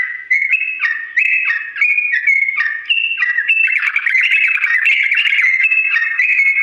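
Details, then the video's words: Long ropel song of a Sooty-headed bulbul at a slow pace, recorded so birds can learn it. Stepped whistled notes at first, then a busier, grating warble continues to the end. "TRUCUK GACOR ROPEL PANJANG NADA PELAN ‼️ UNTUK BURUNG TRUCUK CEPAT MENIRUKAN"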